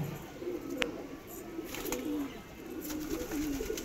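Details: Low cooing from Madrasi pigeons, domestic birds, in short, gently falling phrases mixed with sharp clicks and knocks, likely from movement nearby.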